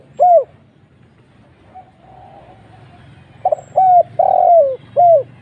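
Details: Spotted dove call played as a lure: a single clipped coo, then a soft distant coo, then a full phrase of short coos, a long falling coo and a final short note, over low background hum.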